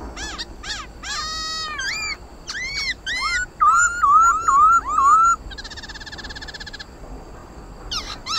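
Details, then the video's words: Contest singing of a black-throated laughingthrush, meant to stimulate pet birds: rapid harsh nasal notes, then looping whistles repeated several times, ending in a long steady buzzy rattle and a few sharp calls. "Tiếng khướu mun hót đấu"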